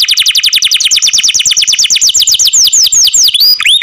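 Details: Canary singing loudly: a fast run of downward-sweeping high notes that slows into longer, wider swoops near the end, with no other sounds.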